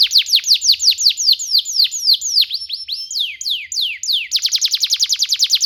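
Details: Canary song recorded for teaching young canaries: a continuous series of clear downslurred whistles, some with upward hooks, speeding into a fast even run of crisp notes near the end.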